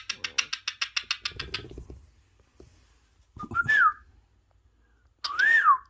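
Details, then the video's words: Pet parrot indoors, watching parrot videos on a mobile phone and not letting others take it. A fast series of about a dozen rasping pulses comes first, then two loud, clear whistled phrases that swoop up and down. "Best Trending Parrot Talking"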